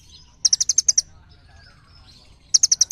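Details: Little birds call back and forth: a rapid series of six high piercing chirps, a quiet pause with faint twitters, then another quick run of five chirps.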